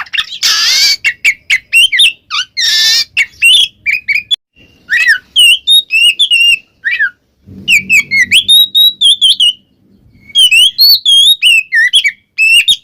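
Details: Ngeplong-style song of an Oriental magpie-robin, played to draw a silent kacer into singing; clear ringing whistles, slurred upward notes and two harsh buzzy bursts early on, with short gaps between phrases.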